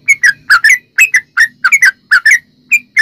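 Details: Yellow-vented bulbul singing rapid, lively song to lure others into singing: bubbly, slurred whistled chirps in pairs and triplets with brief gaps, over a faint low background hum.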